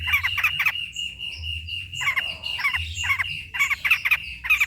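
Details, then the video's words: Long-tailed shrike singing, used as a lure to get quiet shrikes singing and as training material: clusters of rasping, squawky notes in quick bursts separated by short pauses, with a faint low background hum. "PANCINGAN CENDET SUSAH BUNYII, DIJAMIN GACOR DENGAR SUARA CENDET INI, MASTERAN CENDET BAHAN"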